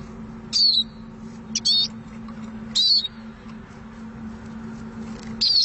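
Eurasian siskin giving four high, thin, slightly falling squeaky notes at uneven gaps, over a steady low hum.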